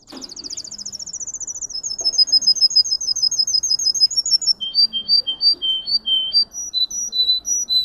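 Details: Russian singing canary: a very high, rapid buzzy trill that steps down into a level rattling roll, then clear, evenly spaced whistled notes repeated several times a second and alternating between two pitches.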